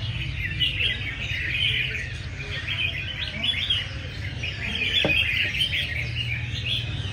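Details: Many red-whiskered bulbuls sing competitively at a bird-singing contest session, possibly at a bird market, in a dense chorus of bright, bubbly whistled phrases over a low background rumble and one sharp knock.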